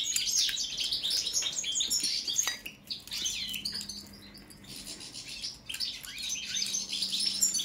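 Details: European goldfinch, subspecies balcanica, in a song check: lively twittering phrases that pause and fade around the middle, with a sharp click, then pick up again into rapid chirping.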